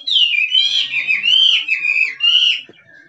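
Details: Wild Chinese hwamei in kích trống song: loud, clear whistled notes gliding up and down in a smooth, flowing line, fading into quiet after about two and a half seconds.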